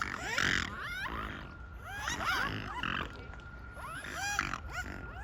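Swans give odd nasal honks and bending, wavering calls that overlap from several birds, about one every two seconds, over a faint steady hum.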